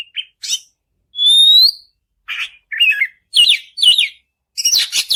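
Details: Kacer (Oriental magpie-robin) in lure song played to stir a quiet bird into singing. A long, pure rising whistle is followed by repeated looping, buzzy two-part phrases and a final burst of harsh chatter.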